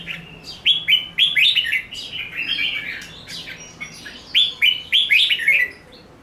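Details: Fighting song of a caged red-whiskered bulbul: quick chains of short downslurred whistles repeated nearly four times a second, mixed with warbled phrases and a few sharp clicks.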